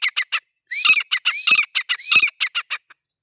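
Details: Male grey francolin giving a loud, grating run of calls: short harsh notes mixed with rising squealed phrases at an uneven, rapid pace, ending in a few softer clipped notes.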